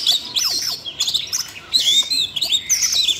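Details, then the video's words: Siberian rubythroat, roused by training audio played to a young magpie-robin, pours out loud high warbling. Quick, scratchy, whistled phrases come in short bursts separated by brief pauses. "Luyện giọng cho chú than con ko ngờ làm chú oanh cổ đỏ nổi hứng hót chuyện"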